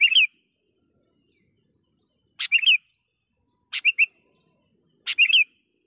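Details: Sooty-headed bulbul in full voice, calling a rival as a lure for wild birds: four short, bubbly phrases of a sharp click followed by warbling twists, roughly every one to two seconds.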